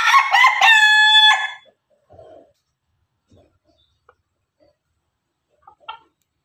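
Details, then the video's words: A rooster from a mixed group of Pelung and Ketawa chickens crows loudly for about one and a half seconds. The crow is harmonic and slightly pulsed, with a sharp cutoff. Scattered faint clucks and small knocks follow in near silence. "ayam pelung ayam ketawa bersama"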